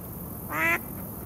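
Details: A Mallard gives a single harsh, nasal quack lasting about a quarter second, over a faint steady background hiss, at Core Creek Park among mallards and Canada geese, 09-02-2018.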